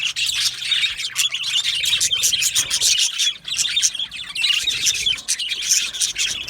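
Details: Yellow male budgerigars, Australian parrots kept in an aviary colony, chirping together: a dense, continuous wash of high, scratchy chirps and warbles from many birds at once, with no pauses and no other sounds.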